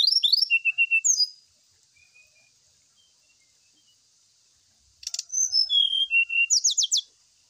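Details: Brown-chested jungle flycatcher lure song for morning-dew airing: quick rising whistles and a trill, a quiet gap with faint notes, then a rattle and a lively phrase of sliding whistles ending in rapid high strokes.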